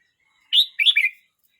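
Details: Young Red-whiskered bulbul, 12 months 29 days old, delivers one crisp phrase: a sharp rising note, then two quick slurred whistled notes, clear and loud against silence.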